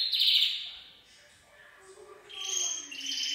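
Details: Gloster canary, full song: a bright, shrill trill opens, then a soft quiet gap with low hollow tones, and then high rolling trills return.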